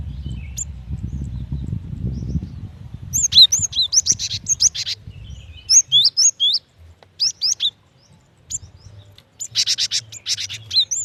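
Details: A female cinereous tit calls the male with high, clear whistled notes in quick bouncing phrases, several bursts separated by short silences, after an opening stretch of low rumbling noise.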